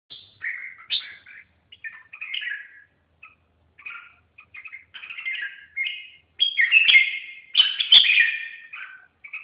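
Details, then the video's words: Red-whiskered bulbul singing a varied run of warbled, chattering phrases, rich and fluty, growing louder and busier toward the end with scarcely a break between phrases. "chim Chào mào"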